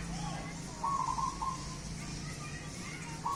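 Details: Local wild zebra dove caught in Truwolu village, Grobogan, Indonesia after entering a house; soft rolling coos in short bursts against a low steady hum and faint background noise.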